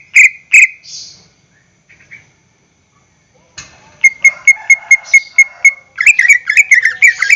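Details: Greater green leafbird song from a lure recording for caged birds. Two loud whistles, a long near-silence, then a steady string of short, even pipes at one pitch, followed by jumbled twittering notes.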